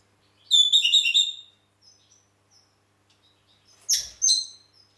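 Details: A red-rumped parrot in Heraklion, Crete, gives a burst of bright, high, warbling whistled notes, then a brief pause and a second sharper, rising phrase.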